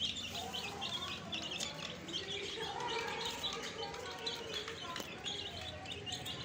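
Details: Newly added young chickens give many high, short peeping chirps in quick overlapping runs, with a person's low talking voice underneath.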